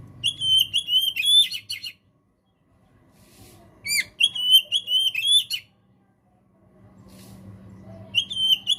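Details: White-rumped shama (kacer) song used as training material for a caged singer: three bursts of clear whistled notes with upward flicks and buzzy trills, separated by pauses, over faint low background hum.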